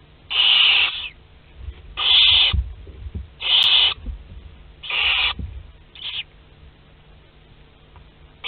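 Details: Nest-box Western barn owls, Théding, France, 22 August 2021, while chicks two to six of a ten-chick second brood hatch. Five harsh, wheezy hisses about every second and a half, the last one short and softer, then quiet.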